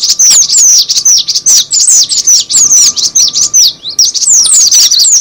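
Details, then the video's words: Cinereous tit lure sound: loud, crowded high chirps and slurred twitters delivered in quick succession, an agitated, continuous chattering. "suara pikat burung gelatik batu"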